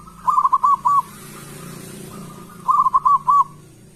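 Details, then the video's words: Zebra dove of a local strain, loud and deep-voiced, used as a lure for other doves: two bursts of about four rounded, bouncing coos, with a faint drawn-out cooing note between them. "Perkutut lokal gacor suara keras besar - pancingan burung perkutut"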